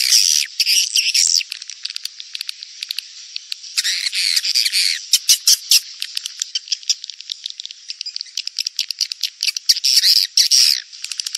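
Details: Edible-nest swiftlet mating lure call for the rainy-season breeding period: bursts of dry, rapid clicking rattles and high chirps, with dense chattering passages alternating with sparser ticking.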